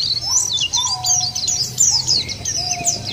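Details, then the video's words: Lure song of a white-eye, played to get caged white-eyes singing: fast high twittering notes, with a few lower drawn-out whistles slipping downward and a low droning hum behind. "jangankan pleci burung lain aja pada gacor"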